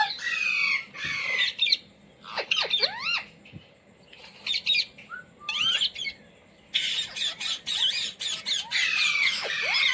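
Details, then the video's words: Indian Ringneck parrot kept as a pet and taught to say "mummy", "mitthu" and "roti roti"; harsh squawks alternate with squeaky swooping syllables, ending in a long stretch of loud raspy screeching. "Parrot Talking | मम्मी | मिट्टू | रोटी रोटी | तोते को बोलना सिखाये | Talking Parrot"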